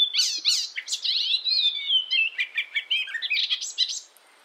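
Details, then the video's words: European icterine warbler song recorded for tutoring captive songbirds: a fast, varied medley of high chirps, slurred whistles and buzzy trills running continuously for about four seconds, then fading, with no other sounds. "masteran Burung || icterine werbler burung kapasan asli eropa"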